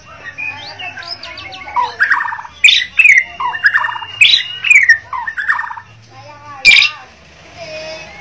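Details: Bornean White-rumped shama in full gacor dor song, looping sweet whistles and quick descending trills, with sustained pure high notes held between rhythmic chattery bursts, then a sharp loud note near the end.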